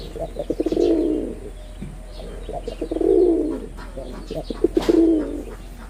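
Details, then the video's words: Bangladeshi red-bordered wild pigeon, a male in full performance: three rolling low coos, each introduced by rapid stuttering notes, with faint chirping of other small birds above. "লাল বডার বুনো কবুতরের অসাধারণ ডাক"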